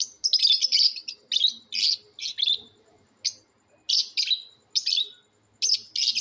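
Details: Lovebirds in a natural sounds competition give piercing, raspy chirp bursts, several quick notes run together, then spaced single bursts about every half second to a second after a brief lull.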